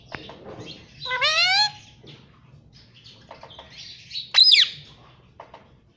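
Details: A pet Indian ringneck parrot that talks, saying "mummy" and "papa", gives a short, harmonic, voice-like phrase, then a sharp rising-falling screech a few seconds later, with faint clicks between.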